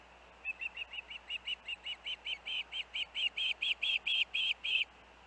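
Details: Osprey at the nest with the young siblings after dangerous winds; rapid run of about twenty short whistled chirps, four a second, growing louder and slightly rising in pitch through the run before stopping abruptly.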